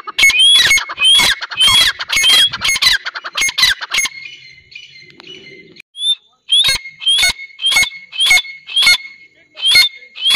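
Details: Pair of grey francolins (Dakhni teetar) in a rapid run of harsh, shrill repeated notes with whistled upslurs, then a brief lull, then a steadier series of sharp calls about twice a second.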